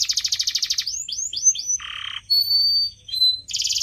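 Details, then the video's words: A canary sings a fast, high rattling trill, then swooping slurred notes, a brief buzzy rasp and clear sustained whistles, ending on another rapid trill. "CANARY SINGING SOUND"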